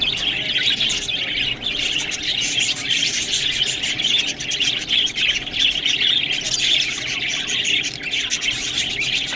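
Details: Budgerigars at their green food, producing a constant, crowded stream of high chirps and grating warbled chatter from many birds throughout.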